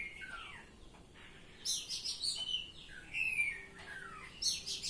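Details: Oriental magpie-robin song in the ngeplong style: a descending whistled slur, then three loud, grating bursts with bright whistles woven through them.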